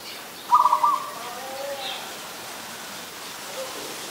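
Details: Adult zebra dove recorded in Ubon Ratchathani, Thailand, on 24 December 2020: a quick burst of pulsed, rolling coos near one pitch lasting under half a second, then faint softer notes over quiet background hiss.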